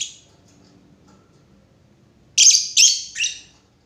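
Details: A single lovebird burst of three shrill, descending chirps after a mostly quiet stretch with faint hum.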